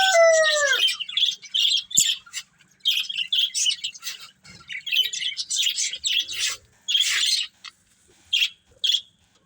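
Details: Budgerigar breeding pair chattering in quick high bursts of chirps and warbles separated by short pauses, following the fading end of a rooster's crow at the start.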